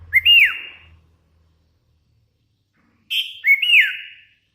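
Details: Hand-reared Sooty-headed bulbul singing actively: two short whistled phrases about three seconds apart, each a quick rising note that slides into a held tone, then a sharp downward slur, with silence between.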